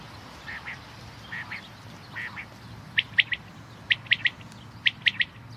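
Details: Common quail singing: crisp, high three-note whistled phrases repeated roughly once a second, preceded by softer, more distant-sounding triplets, over a low steady background hum.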